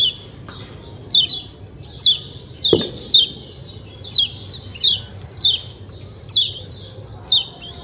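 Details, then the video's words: Yellow white-eye (kecial kuning) giving bright, high chirps that slide downward. Each sharp note comes about once a second over a steady faint hiss, with one brief low thump midway. "ciak ciak jos kecial kuning suara alam"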